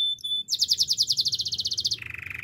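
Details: Belgian canary in powerful training song, opening with brief thin whistles, then a fast even series of bright repeated notes about twenty in a row, shifting into a lower rolling trill.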